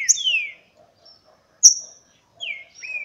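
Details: Green-winged saltator in a singing contest, recorded in August 2016: clear whistled notes, some sliding downward, given in short bursts with brief pauses, over a faint low murmur.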